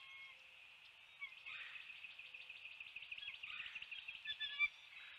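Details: Bald eagle at a NEFL nest filmed by live camera at 7:04 am on 29 February 2020, with a still-alive fish brought to a full larder. A brief whistle, then a long burst of rapid high chattering notes that ends in sharper squeaks.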